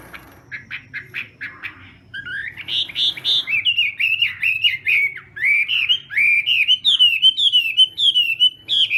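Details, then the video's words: Chinese hwamei contest singing during morning voice practice: opens with a row of short, evenly spaced whistled notes, then breaks into a continuous flood of varied, looping whistles that rise and fall energetically. "Hoạ Mi Hót Đấu /hoạ mi hót sáng luyện giọng kich bổi sổ giọng chim hót hay mỗi ngày/"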